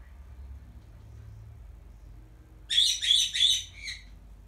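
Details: Caged black-headed caique calling for its owner while the cage is cleaned: after a quiet stretch, four quick rasping "pyaa" notes, the last one softer and lower.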